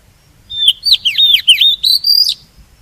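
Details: Lure song of an oriental magpie-robin, used for bird trapping and to encourage other birds to sing: a crisp phrase of looping whistles that swoop down and up in quick succession, finishing with a steady high note, about two seconds long.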